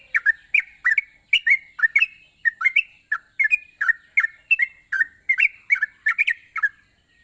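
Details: Yellow-vented bulbul singing vigorously, used to coax lazy bulbuls into singing: quick bubbly two-note phrases, dropping then rising, repeated about twice a second, with a steady high hiss throughout.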